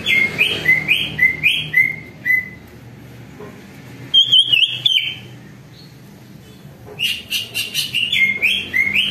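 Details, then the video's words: Greater green leafbird song played as a lure to make leafbirds respond: bursts of slurred whistled notes repeated quickly, a pause with a brief rattling phrase, then a fresh run of bright repeated whistles. "CUCAK IJO DI JAMIN BUNYI DAN LANGSUNG NYAUT"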